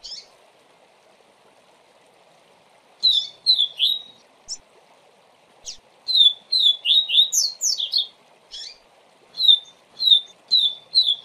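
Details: 'Tui tui zel zel' song of a double-collared seedeater, used as a model for young birds: several bright whistled phrases of quick, downslurred notes separated by pauses, with scattered sharp single chips and a constant low background hum.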